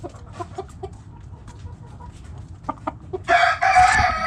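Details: Hens and roosters in a backyard flock: scattered quiet clucks and short notes, then a loud, broad, strained crow fills the final second.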